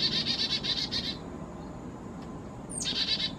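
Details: At a feeder in the Great Smoky Mountains, 4000 feet up, a Black-capped chickadee, perhaps a Carolina hybrid, picky about sunflower seeds, gives a run of quick buzzy dee notes, a pause, then a sharp high note leading into more buzzing.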